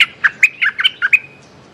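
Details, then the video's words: Streak-eared bulbul calling a mate with a rapid chattering phrase of about eight crisp, warbled chirps in just over a second. "Suara pikat merbah lekir"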